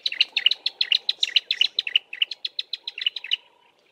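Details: A Bar-throated apalis pair duets from low bushes in a fast run of sharp, high notes, about five a second for three seconds. Two note types interleave, and the male's deeper call dominates.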